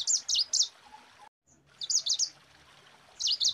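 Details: Mozambique canary in dense rolling 'ngerol rapat' song, used as a tutor for other birds: three short bursts of very high, rapid zigzag chirps separated by gaps of about a second.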